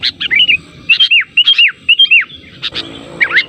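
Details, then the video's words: Sooty-headed bulbul on a lure recording meant to get other bulbuls to reply: repeated bright notes that sweep up then fall, about two per second, then a final sharp downslur. "suara pancingan burung kutilang terampuh, semua jenis kutilang pasti nyaut"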